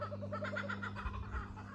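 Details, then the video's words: Kookaburra singing in a gum tree at Trentham, 23 October 2023: a fast, rolling chuckle of hollow hoo-hoo notes, about eight per second, fading off over a low steady hum. "Kookaburra singing"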